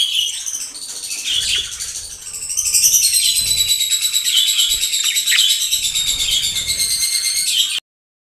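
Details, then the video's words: A breeding pair of budgies in yellow, blue and green gives a continuous high, rippling warble of rapid repeated notes, growing louder after the first two seconds, then stopping abruptly. "Yellow, Blue & Green Budgies Breeder Pair's Adorable Singing"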